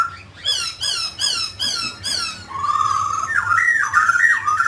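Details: Song of a mutant grey laughingthrush that sings and dances: five harsh, scratchy downward notes about half a second apart, then a steady whistle breaking into looping fluted phrases.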